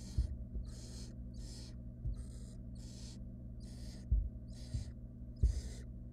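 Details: Nestling barn owls in a wild nest box begging as their mother arrives with a rat; rapid series of short rasping hisses about twice a second, interspersed with knocks and shuffling, low electrical hum beneath.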